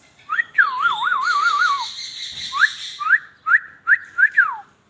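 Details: Ringneck parakeet talking: a warbling whistled phrase over a raspy, buzzy band, then five short rising-and-falling whistled notes spaced about half a second apart.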